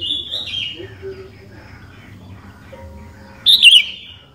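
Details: Sooty-headed bulbul song used as a lure for other bulbuls: soft sliding whistles and faint chirps, then one loud bright slurred phrase near the end.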